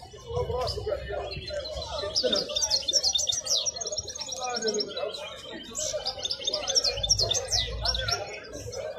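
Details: Wild European goldfinch singing at the Al-Qurai'a bird market: bursts of rapid, high, twittering and tinkling notes in two long phrases, over a steady murmur of voices and crowd noise.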